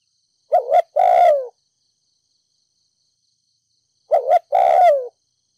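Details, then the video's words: Spotted dove from Ninh Thuận, kept as a ground decoy, uttering 'thúc gù' urging coos in 'đồng pha thổ' style to rouse decoys. Two low phrases about three and a half seconds apart: a quick wavering pair of notes, then a long descending coo. "Cu gáy kích bổi nhanh nổi,THÚC GÙ Giọng đồng pha thổ,cu gáy ninh thuận mồi đất thúc gù(không tạp âm)"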